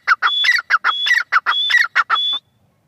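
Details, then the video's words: Loud, harsh, rhythmic calls of a female francolin. Grating notes come in quick groups, and each group carries a thin high whistle, repeated about four times in under three seconds. "madi teetar ki awaz"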